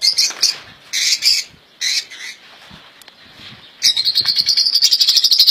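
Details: European goldfinch, ghandour, caged indoors, with song praised as error-free: scattered loud chirps and squawky notes, a quiet stretch with faint background noise, then a fast high rattling trill to the end.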